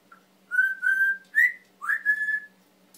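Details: Pet male Timneh African grey parrot, which mimics many sounds, whistles a connected series of steady tones and short upward swoops in quick succession.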